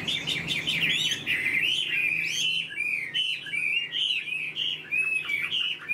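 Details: Tame caged Chinese hwamei in song, a continuous stream of loud clear whistled phrases sliding up and down, fast varied notes repeated in quick succession, with faint low background hum.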